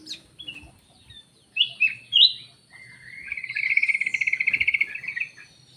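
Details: Black-naped oriole lure call: a few short whistled notes, then three slurred clear whistles, followed by a rapid buzzy rattling series held at a steady pitch for about two seconds.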